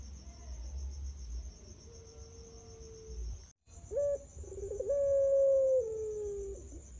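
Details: Puter pelung turtle dove, a prize-winning bird, in a training recording meant to coax other birds into singing: a short note, then a long, clear, level coo that slowly slides lower, with a steady high whine behind it.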